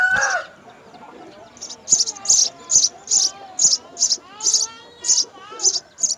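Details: House sparrow nest where both parents feed three young; after a louder, lower tonal call at the start, rapid high-pitched chirps follow in a steady series, several per second, with soft lower notes beneath.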